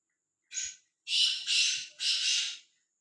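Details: Free-roaming, fearless black francolin giving a brief short note, then three loud, harsh, rasping notes in quick succession over about two seconds, with near silence around them.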